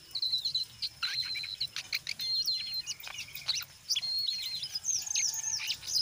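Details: A brown jongkangan delivers busy ngeriwik chatter mixed with ngeplong, used to stir untrained jongkangan into song: loud, jumbled high chirps, buzzy bursts and short whistled phrases, separated by brief gaps.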